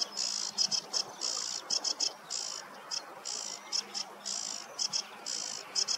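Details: Sedge warbler on a meadow on a warm morning, singing loud high buzzy trills and scratchy chatters in bursts of about half a second, separated by short pauses, with a low steady hum behind.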